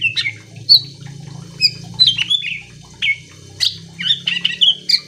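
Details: Greater green leafbird song aimed at getting other leafbirds to join in: scattered whistles and sharp slurred notes with short gaps, over a low droning hum.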